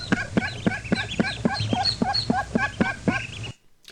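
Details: Mallard hen's maternal assembly call at a field nest, recorded by microphones at the site, used to call ducklings from the nest and lead them; rapid, steady clucking about four per second with ducklings' high peeps answering, ending abruptly.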